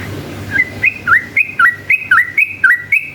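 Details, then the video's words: Lively yellow-vented bulbul song meant to goad other bulbuls into replying: a steady run of bright, slurred whistles, each phrase flicking up and down, repeated roughly every third of a second against faint low hum. "KICAU SUARA trucukan gacor ropel panjang ini efektif jadikan pancingan trucukan agar bunyi ROPEL"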